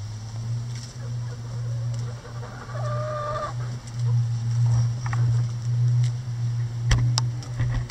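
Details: Chickens busy with a cabbage ball hung in the chicken run for enrichment; one drawn-out nasal call near the middle, with sharp pecking clicks later and a constant low drone underneath.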